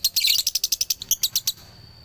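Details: Short burst of male lovebird dobelan, Galendo bird from Ciamis: about a dozen sharp, high chirps in quick succession, slightly slowing, then a thin lingering high whistle tone as the chirping stops.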